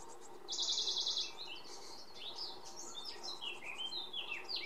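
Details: Singing Iberian pied flycatcher in the Sierra de Piedrahita, Central Spain, on 4 May 2014. One loud, rapid burst of repeated high notes lasts under a second. Scattered varied chirps and whistles from other birds follow.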